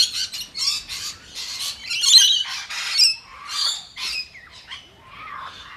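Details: After a distress signal, a flock of rainbow lorikeets flees a vulnerable ground feeding spot, filmed in slow motion. Loud, rasping high-pitched squawks come in rapid bursts about every half second, then fade into thinner screeches.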